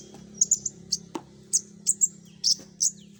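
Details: Common iora lure recording, full "isian" style, with sharp high chirps in short bursts at irregular intervals of about a third to half a second, plus one lower click and a faint steady low hum.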